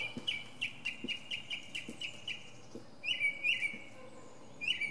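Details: A northern mockingbird gives a treetop concert in a pine. A fast train of short, repeated notes shifts abruptly into a louder, different phrase with sweeping whistled notes, repeated twice.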